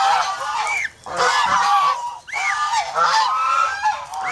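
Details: Farm geese in the Philippines, a protective flock, sounding loud sustained honks in two long bursts broken by short lulls, with curved upswept notes among the harsh chorus.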